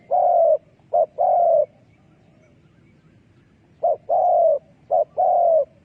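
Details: Decoy calling of a spotted dove, used to trap doves. Two phrases, each a long coo, then a short clipped note, then another long mellow coo. The phrases are separated by a pause of about two seconds, with faint background noise.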